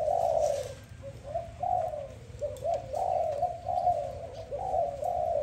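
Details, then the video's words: Morning calls of a dove, low mellow coos rolling together in wavering phrases with slight dips in loudness between them. "Dove lovely sound -morning sound of dove"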